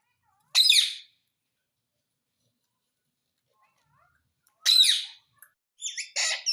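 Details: Talking parrot that says "Mitthu Mitthu" gives a harsh, broadband squawk. A long pause follows, then another raspy squawk and a pair of short scratchy notes at the end.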